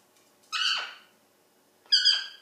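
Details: Pet Indian ringneck parakeet calling indoors in a small room: two loud, harsh, rasping squawks about 1.4 seconds apart, each dropping in pitch at the end, with quiet pauses between.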